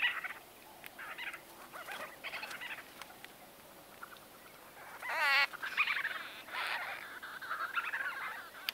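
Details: White-fronted bee-eaters in close conversation, exact recording date unknown: a busy stream of short rolling, buzzy chirps overlapping from several birds, rising to a louder burst of harsher notes after five seconds, then continuing chatter.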